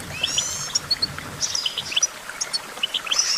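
Goldfinch song: quick, high tinkling twitters and short sweet chirps in a rapid, uneven run, with faint background hiss.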